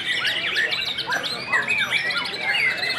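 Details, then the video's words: White-rumped shama at a singing contest delivering loud, clear whistled phrases, with upward and downward slurs and a few harsh chattering notes in quick succession. The song is fairly continuous, with other song faint behind it. "Murai Batu Ss Nampar 3x"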